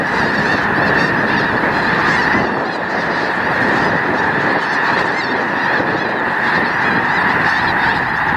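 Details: Vast snow goose flock at Loess Bluffs refuge, February 2020: thousands of honking voices merge into a steady wall of sound, with higher yelping notes flickering through it. Canada and Ross's geese and trumpeter swans share the site.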